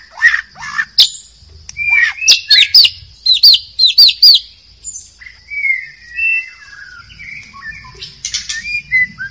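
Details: In wild forest, a White-rumped shama sings a series of repeated short, upturned whistled notes about twice a second, then drifts into softer, lower fluty warbles; a high steady buzz underlies it.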